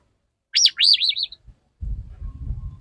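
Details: Male Oriental magpie-robin courting a female, giving a high wavering whistled phrase of three to four looping notes, then a stretch of low rumbling background noise.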